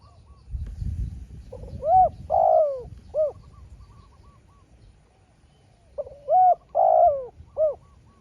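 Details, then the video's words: Spotted dove calling in a drawn-out duel with a small-voiced wild dove, trading calls in turn: two bursts of mellow coos, a short lead note, a long hooked coo and a clipped final coo, then silence and a repeat. "เสียงนกเขาใหญ่ เจอนนกป่าเสียงเล็กคูดีคูสู้กันอยู่นานกว่าจะติดแลกกกันคนละทีทีีลุ้นมันเลย"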